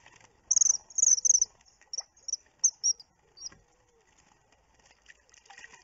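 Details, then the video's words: Common kingfisher on 29 June, caught on a webcam, gives a rapid series of piercing, very high whistles, some doubled or trilled, in quick bursts over about three seconds, then fainter notes trail off, with soft clicks and rustling. "Eisvogel Laute"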